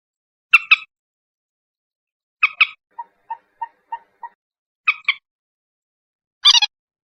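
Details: Lure calls of a common moorhen: paired harsh, grating notes repeated three times, separated by a run of five soft, short, evenly spaced ticking notes, ending with one dense scratchy burst.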